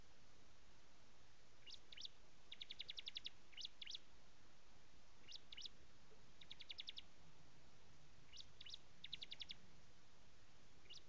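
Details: Prinia (ciblek) singing: short bursts of rapid, high, evenly spaced ticking notes form dry trills. The bursts repeat every few seconds against a steady background hiss.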